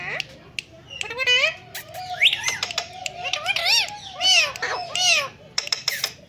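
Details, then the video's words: Ringneck parrot chattering and mimicking speech: a dense run of bending, wavering harmonic syllables and sharp clicks, nearly continuous, loud upsweeping notes near the end. "This Cute Parrot's Talking Is so Amazing He Talk Mitthu Bete,Kon Aya,Aslam Alaikum And More Words"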